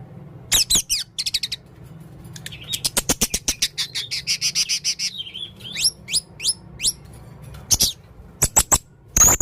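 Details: Male blue-crowned hanging parrot, chatty and giving many odd sounds: sharp dry clicks in bursts, a buzzy high trill, and thin upward-flicking squeaks, with a low background hum.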